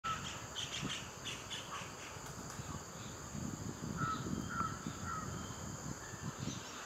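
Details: A Grey-headed Swamphen, while feeding, gives a few short, harsh, nasal clucks over steady low rumbling wind.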